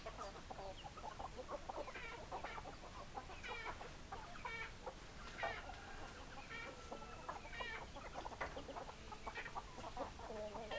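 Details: Hens and roosters in a busy flock, many chickens calling at once with rapid stacked clucks and short nasal squawks running continuously across the whole stretch.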